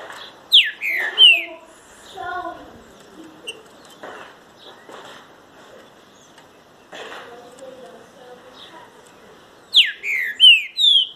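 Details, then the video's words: Green-winged saltator singing loud, slurred whistled phrases, mostly falling in pitch, given in a burst near the start and again near the end, with a quieter stretch and faint background rustling between. "TRINCA FERRO SHOW"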